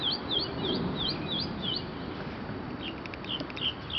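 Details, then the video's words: Early April morning, 2011, in Arlington, Virginia: a nearby bird gives a string of high, slurred, two-part notes in quick succession, then a pause and a few scattered chips, over steady street noise. "Bird Singing for me"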